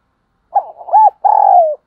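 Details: Spotted dove in a good voice, used to excite decoy birds and train lure birds. One phrase: a brief coo, a wavering murmur and an arched coo, then a long sustained coo that sinks slightly at the end.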